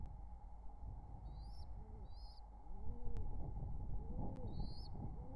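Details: Wild pigeon pair courting near their nestlings, summer 2023: soft low arched coos come through a steady background hum, while a higher bird's short rising chirps repeat above them.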